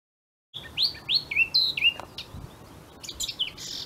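A Eurasian blackcap sings a quick run of clear, fluty whistles, each note sharply slurred up or down, followed by a softer, scratchier warble.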